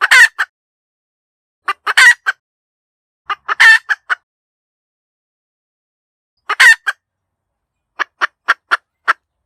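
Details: Hen giving a cackle, meant as a decoy sound for trapping: short bouts of two or three clucks around a long, scratchy squawk, then a closing run of five evenly spaced clucks.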